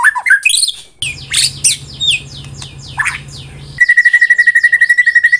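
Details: Varied swooping whistles and slurred notes from a white-rumped shama in the tembakan rapat song style, a low drone behind the middle part, finishing in an even, fast trill of repeated mid-pitched notes.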